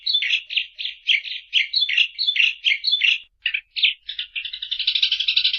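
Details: Eurasian tree sparrow uttering repeated scratchy chirps at a steady pace, slowing and spacing out, then breaking into a quick buzzy rattle at the end.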